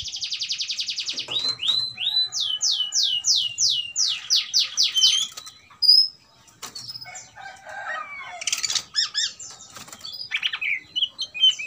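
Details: Oriental magpie-robin (kacer), provoked into a fighting mood, sings restlessly: a rapid buzzy trill, then a run of loud downward-sweeping whistled notes, a brief pause, then varied chattering and sharp whistled phrases.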